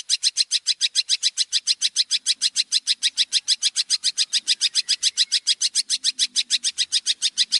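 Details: Training song of a champion Long-tailed shrike: one high, dry note repeated very fast and evenly, about three or four times a second, for the whole stretch in a quiet setting.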